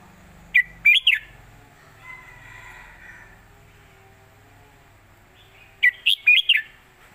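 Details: Red-whiskered bulbul performing an old southern Thai song style for teaching young birds: two bursts of three or four quick warbled notes, about five seconds apart, with low background hum between.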